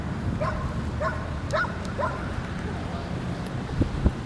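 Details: A White-winged Coot at the urban reserve Laguna María la Gorda, Río Gallegos, Santa Cruz, Argentina, on 10 May 2025, gives four short, nasal, slightly rising notes about half a second apart over low wind rumble, with a few knocks.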